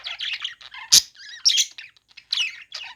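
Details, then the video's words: Playing budgies chatter in dense bursts of buzzy, rasping chirps and short whistled slurs, broken by two loud sharp squawks near one and one and a half seconds. "parakeet chirping sounds | budgies playing sounds"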